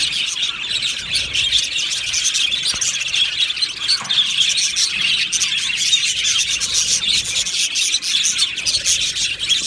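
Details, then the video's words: Budgies in a colony aviary, singing and chirping: constant busy high-pitched twittering from many birds, with a few brief squeaky notes rising above the mass of chatter. "Beautiful Happy Budgie singing and chirping sounds"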